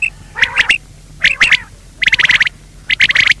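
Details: Quail call used as a lure for hunting by netting: clusters of harsh, rapid, buzzy notes, four bursts spaced roughly a second apart, each a quick stuttering run of clipped squawks.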